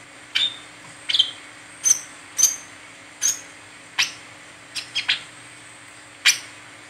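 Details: Brown-throated sunbird in 'ngeriwik teler' style, used as a lure for training other birds: crisp, very high chips and thin whistled slurs, roughly one every half second, some in close pairs, over faint constant hum.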